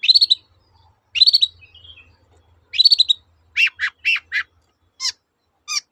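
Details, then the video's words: Long-tailed shrike in 'toet-toet' song used to lure silent shrikes into singing: three fast rattling trills, then a run of four descending harsh notes and two sharp isolated chirps, quiet low hum underneath. "BURUNG CENDET GACOR TOET-TOET, memancing cendet macet kembali gaco"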